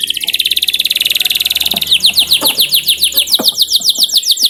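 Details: Canary singing, a lure recording for training canaries to sing readily: a long very fast buzzy trill, then a run of clear repeated downward-sweeping notes at a steady, rapid pace.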